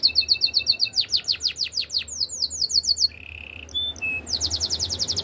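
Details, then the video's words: Spanish Timbrado canary singing a fast varied song: rapid repeated high notes, then steep descending sweeps, a bright chain of falling notes, a steady buzzy trill and a closing run of repeated notes. "Spanish timbrado canary singing"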